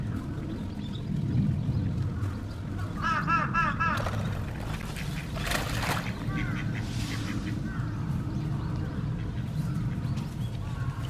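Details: Spot-billed duck filmed July to December 2023 at the Kurome River or Sanpoji Pond; a brief run of quick nasal quacks rises out of low rumbling noise, followed by a loud splash or rustle and softer quacks.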